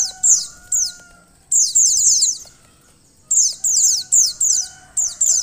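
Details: Female white-eye calling to stimulate a male: clusters of very high, descending chips in rapid bursts with irregular pauses, over a soft steady background tone.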